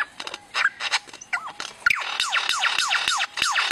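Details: Lyrebird from Australian forests mimicking other sounds: varied sharp clicks and bursts, then a series of loud, ringing notes each swooping down in pitch, repeated about three times a second.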